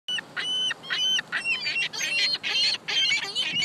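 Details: Many gulls in a parking lot calling together, harsh nasal squawks repeated in quick overlapping bursts, a dense noisy chorus.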